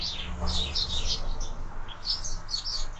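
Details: Short burst of sparrow chirps at a window-mounted feeder: clustered high tweets in two groups, over a faint low mechanical hum.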